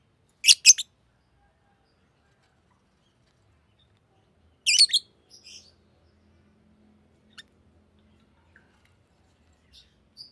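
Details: Green lovebird producing two brief, very high, scratchy chirp bursts several seconds apart, followed by near silence with a few faint ticks.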